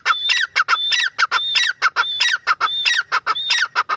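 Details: Partridge (teetar) calling energetically: regular bursts of rough, scratchy notes, each with a high thin whistle, repeated about every half second without a break.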